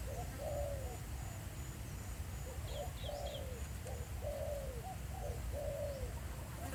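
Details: Spotted dove decoy calling live in the field at Pha Sing, Thailand: faint, hoarse two-part coos repeated in a steady series, half-buried under a heavy low rumble of background noise.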